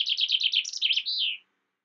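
A common chaffinch sings a bright, quick run of repeated notes that tumble down the scale and finish in a flourish, all in about one and a half seconds.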